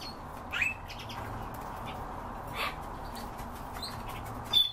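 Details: European bee-eater giving a few short, burry rolling call notes, spaced apart over several seconds, against a steady background hiss and low rumble.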